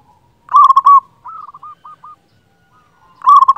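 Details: Zebra dove of a local strain giving a loud, big-voiced coo: a burst of rapid rolling notes, then a softer staccato series of short coos, and another loud burst at the end.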